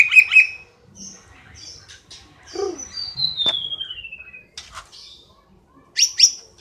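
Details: Cililin song meant as tutor material for contest white-rumped shamas: scattered sharp high chips with pauses, a long descending thin whistle in the middle, and a final pair of bright notes.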